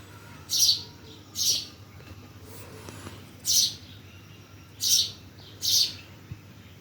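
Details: High, scratchy bird chirps in Bhimtal repeat about every second, six notes with a pause in the middle, over soft steady hum.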